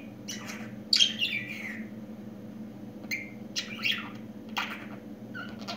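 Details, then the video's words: Pet budgerigar just starting to talk, sounding a loud scratchy descending squawk, then spaced chirps and short whistled notes with brief pauses, low hum in the background. "Yeni Konuşan Muhabbet kuşu"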